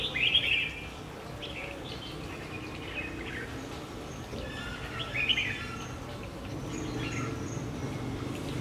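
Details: Red-whiskered bulbul used as a decoy, singing a fighting song to call wild bulbuls to a trap on 3 February 2020 in Vietnam; brief bright warbled phrases at irregular intervals over low rural background hum.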